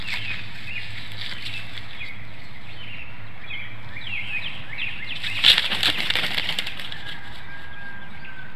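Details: Nesting bald eagles at Hanover, Pennsylvania, 13 March 2019, shortly before the male relieves the incubating female: thin, high chattering notes in a loose series early on, then a burst of wingbeats and rustling mid-way, with low background hum.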